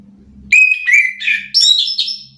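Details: Orange-headed thrush (anis kembang), stirred up and answering another bird's song: loud whistled phrases, a long steady note dropping slightly, then a burst of higher warbled notes, in a quiet room with a faint low hum.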